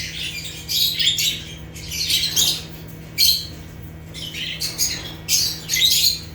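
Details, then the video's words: Rare African lovebirds, genus Agapornis, giving natural chirping: bursts of shrill, high squeaky chirps in clusters separated by short pauses, with a steady low hum underneath. "Rare African Lovebirds (Agapornis) | Natural Chirping Sounds"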